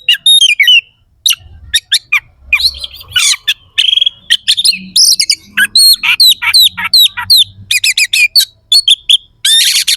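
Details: Kacer (Oriental magpie-robin) in energetic gacor singing with harsh 'isian kasar' fill-ins, used as training to make rival birds more determined; ten seconds of nearly continuous sharp chirps, buzzy rasps and quick whistled slurs.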